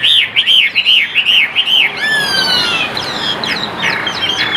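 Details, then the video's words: Caged Chinese hwamei for sale in Vietnam repeats a bright arched whistle six times in steady rhythm, then breaks into long sweeping slurs and high ringing notes. "Chim Đẹp Hót Hay"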